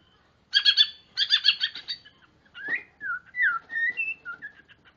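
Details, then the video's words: Gacor white-rumped shama song meant to draw out mute or young birds: two bursts of harsh, rapid, buzzy repeated notes followed by a string of clear, short whistled slurs at varying pitches. "Muarai batu gacor"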